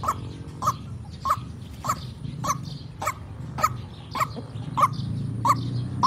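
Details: White-breasted waterhen call used as a lure for trapping: a steady series of short, abrupt mid-pitched notes about every half second, with low background rumble.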